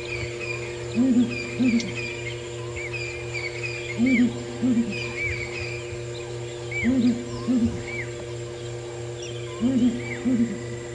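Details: A lone female southern ground hornbill calling at sunrise on 21 February 2018 in Sabi Sand, South Africa, in wet weather: deep, hollow booms in pairs about every three seconds, with small birds chirping over a steady engine hum.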